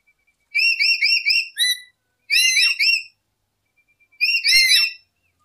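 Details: Lory song used as a trapping lure: three separate bursts of quick, slurred whistles with rising and falling inflections, the first burst made of several rapid notes, with long quiet pauses in between.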